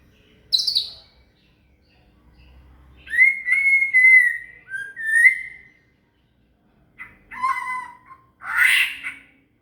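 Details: Murai (shama) phrases as training material for a cililin: a sharp high note, clear whistled slurs after a pause, then short warbled notes and a final harsh burst.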